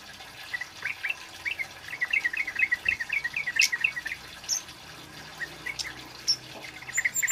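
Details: Male Orange-headed Thrush in cit keres style, kept as a lure and tutor bird: dense run of quick chirping notes near the middle, a few sharp high squeaks, then sparser chirps toward the end over a faint background hiss.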